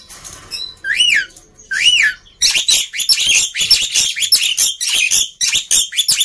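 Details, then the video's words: Black-winged myna song meant to encourage silent mynas: two clear rising-falling whistles, then an outburst of fast, harsh, jumbled chattering with squeaky inflections. "Kicauan Burung Jalak Putih Gacor Ribut || Pancingan Burung Jalak Malas Bunyi"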